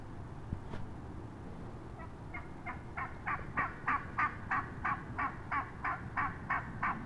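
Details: Wild turkey hen recorded up close on 22 March 2017, giving a steady run of about fourteen raspy yelping notes, roughly three per second, over a low background rumble.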